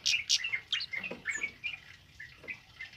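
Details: Tame male kemade singing energetically, kept for tutoring other birds: bright chirps and short whistled notes, quick buzzy bursts in the first half followed by scattered high twitters.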